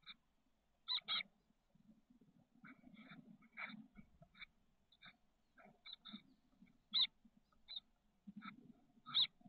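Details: Chestnut-backed chickadee nestlings, 13 days old, six hatched in a nest box on the SF Bay south peninsula, 30 May 2023: short high chips in scattered bursts, some doubled, over low muffled rumbling inside the box.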